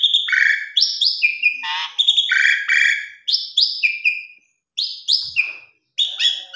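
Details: Asian pied starling song with elaborate fill-ins, aimed at waking a silent or stressed starling: repeated pairs of rising whistles followed by lower buzzy notes, delivered in phrases separated by short pauses.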